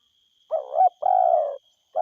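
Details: Spotted dove, a lively forest-type caller, giving a low coo phrase: a short arched note, a pause, then a long rolling coo of about half a second. A faint steady high tone runs behind.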